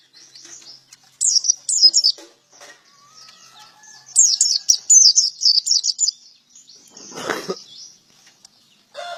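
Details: Bursts of rapid, squeaky high chirps from a male white-eye in 'gacor', 'ngalas ngeplong' song, soft twittering between phrases, a brief rushing noise near the end.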